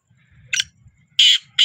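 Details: Captive black francolin carried up a hill near home just after rain gives three loud, harsh, grating notes: a short one, then two longer rasping bursts in quick succession, over a faint low rumble.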